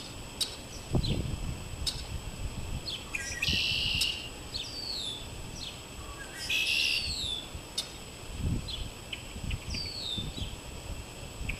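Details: Several red-winged blackbirds sitting in a backyard maple tree give short, sharp chips and whistles, with two buzzy, trilled bursts, over low rumbling wind and thumps.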